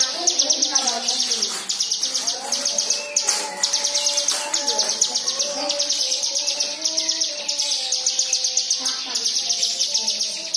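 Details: White-eye song meant to prompt other birds to sing: long chattering series of fast, high chirps broken by brief pauses, with lower sliding whistles and faint background sounds.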